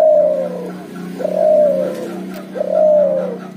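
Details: Cuhu dove, a puter crossed with tekukur, giving steady ngoar nguku coos: three sustained, soft, gently descending hoots in a regular rhythm, with a low steady hum beneath.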